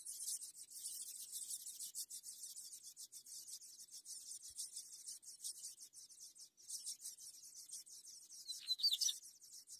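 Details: Ultramarine grosbeak chicks being fed give a dense, continuous stream of thin, high-pitched, rapid chittering begging calls, rising to a sharper burst near the end.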